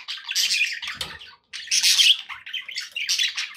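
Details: Budgies kept as pets chattering in a room, a dense run of harsh, scratchy chirps and warbles in three bursts separated by a brief silence, with a soft knock near the first second.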